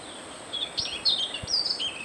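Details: Siberian rubythroat (Calliope calliope) call: a run of varied, high, warbled and scratchy notes that rise and fall for about a second and a half, over a steady thin hiss.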